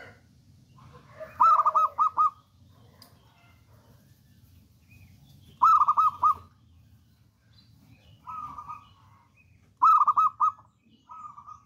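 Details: Local wild-type zebra dove, a bold singer kept as a lure bird, repeating short rapid bubbling coo phrases about every four seconds, with softer trilled notes between, over a low background hum.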